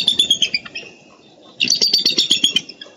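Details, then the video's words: Eagles in Minnesota, recorded 13 April 2013, giving high, thin chattering calls: a rapid run of short descending notes that fades, a second of quiet, then another longer burst of sharp repeated piping notes. "MN Bound Eagles 4-13-13 Vocalizations"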